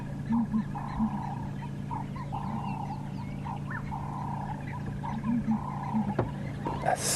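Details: A pair of Southern ground hornbills feeding together give contact calls: deep, soft booming notes in quick pairs, faint and low and distant, over a steady vehicle engine hum with a drawn-out mid-pitched droning call repeating.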